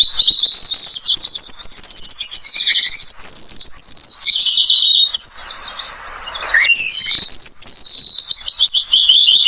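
An Australian pipit sings a high, bright, fast twittering warble with sweeping notes, broken by a brief hissy pause midway.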